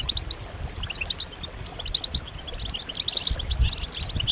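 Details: Group twittering of European goldfinches, given as mating and readiness calls to excite males into singing. Bright, repeated high chirps come in quick pairs and runs, over steady faint low background noise.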